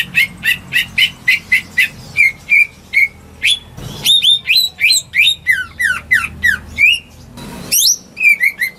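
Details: Domestic greater green leafbird singing as a lure for birds that have stopped singing; begins with evenly repeated sharp chirps, then shifts into a fast varied medley of whistled slurs and trills, with a brief noisy burst.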